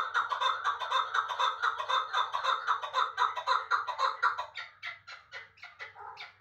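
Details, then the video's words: Chukar partridge kept in Dushanbe, calling with a steady run of harsh, chuckling notes repeated about twice a second, strong at first and then breaking into looser, uneven notes toward the end. "Кабки Узбекистон"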